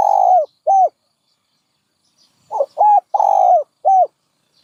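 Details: Dove coo phrases, mellow and low: a long trembling note and a short arched hoot, a silent gap, then a fuller phrase of stuttered start, short hoot, long coo and closing hoot.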